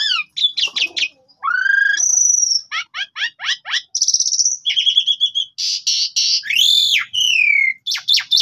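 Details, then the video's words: Lure recording of black-winged starling song to provoke an answer: rich mix of rising whistles, rapid chip runs, a long high whistle, buzzy trills and harsh nasal squawks, loud and continuous. "Pancingan Jalak Suren Gacor Full Isian Jalak Suren Pundung Seketika Nyaut Gacor"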